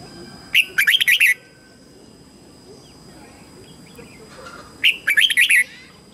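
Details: Red-whiskered bulbul acting as a lure bird, singing to draw wild birds in to fight: two quick warbled phrases of bright slurred notes about four seconds apart, separated by near silence.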